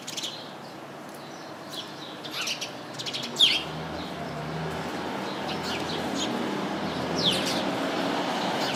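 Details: House sparrows in a shrub crowded with the species: scattered brief, bright chirps and tweets at irregular intervals against steady background noise.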